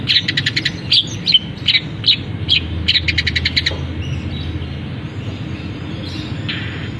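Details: Caged long-tailed shrike in active song after being uncovered, with canary fill and other birds copied; quick clusters of stuttering high chirps over four seconds, then near silence with one faint later note.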